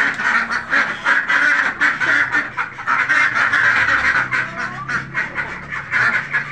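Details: Khaki Campbell domestic ducks on a farm quack in a noisy, overlapping chorus of harsh, nasal calls, about four a second, with no other sounds standing out.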